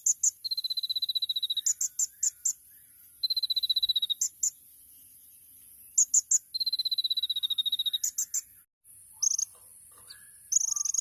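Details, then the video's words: Masteran 'tembakan' song of a champion olive-backed sunbird (kolibri ninja): three long even high-pitched trills separated by bursts of sharp piercing chirps, ending in scattered shrill notes. "MASTERAN KONIN TEMBAKAN MEWAH | SUARA BURUNG KOLIBRI NINJA JUARA"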